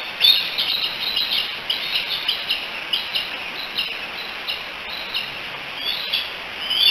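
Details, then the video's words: Three bald eagle eaglets at a nest on the Decorah eagle cam, July 16, 2018, calling together, probably for their mother; rapid series of high, thin chirping and squealing notes repeated steadily throughout, over faint outdoor background noise. "The 3 D's hanging out and chatting together, probably calling for Mom."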